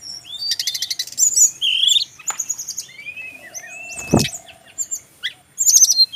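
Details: Male brown-chested jungle flycatcher from Bali, a training song that other birds answer at once: high, varied whistled phrases and rapid buzzy trills, with a sharp click midway and dense chattering at the end.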